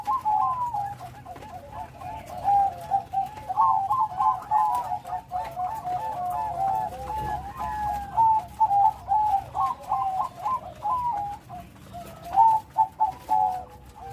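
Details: Zebra dove of the Bangkok type singing actively, with a loud voice and full rhythm. Long sequences of purring, stuttering coos are broken by clusters of rapid trilled notes, with a faint low hum underneath.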